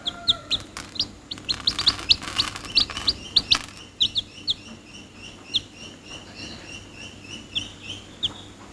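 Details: Chicks peep in short high downward-slurred notes, scattered and fairly faint, partly masked by rustling and scraping noise in the first half.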